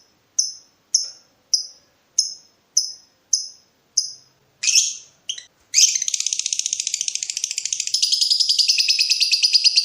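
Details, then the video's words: Lovebird in breeding mood, provoking a rival: seven evenly spaced sharp high chirps, two harsher notes, then a long fast buzzing chattering trill to the end. "BURUNG LOVEBIRD MENCARI LAWAN || LB MANAPUN PASTI NYAUT BUNYI"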